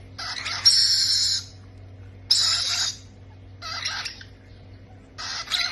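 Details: During feeding, parrot chicks produce four harsh, wheezy squawks, the first two loud and long, the last two softer, spaced about one and a half seconds apart, over a faint hum.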